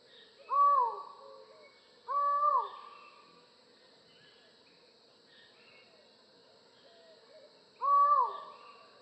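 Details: Collared forest falcon calling with long, hollow, human-like notes that rise slightly and then drop away, spaced irregularly with a long pause between, over a constant high background drone.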